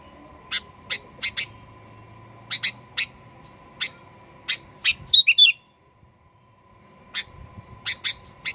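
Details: Sooty-headed bulbul song used as a lure to provoke birds into aggressive singing: sharp high chirps spaced irregularly, a quick whistled flourish midway, then a brief silence before more chirps; a steady low hum underneath.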